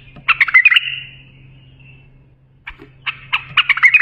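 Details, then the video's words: Bulbul song played for tutoring young bulbuls: a burst of chattering, warbled notes fading into a drawn-out tone, a pause, then a quick run of short sharp notes, over a steady low hum. "بلبل للساناته إبداع يفيد للتخريج صغار بلابل"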